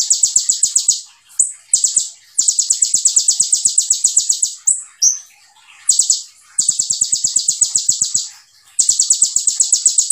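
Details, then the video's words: High, buzzy rattling trills from a konin, or olive-backed sunbird, sung in tembakan fashion: long bursts of fast notes separated by brief gaps and an occasional slurred whistle. "KONIN GACOR FULL TEBAKAN RAPAT SEJALUR"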